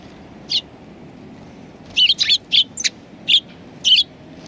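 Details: Sparrows at a Tenmangu shrine, recorded 23 January 2019: a string of sharp, bright chirps, single and paired, sounding about every half second in short bursts over quiet background hum.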